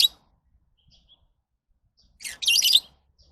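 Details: Lovebird giving a loud, shrill, buzzy chatter near the end, preceded by a brief screech at the start and faint high chirps in between.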